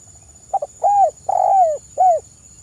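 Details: Spotted dove giving a soft call, style called kuk I, used as a lure: two quick stuttered notes, then three mellow coos, the middle one longest, each sliding downward at the end, with a steady faint high tone behind.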